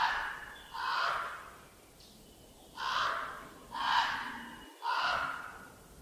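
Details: White-necked Raven, in a Southern African bird and mammal call challenge, giving five hoarse, rasping croaks, roughly one per second, each short and harsh with a breathy edge.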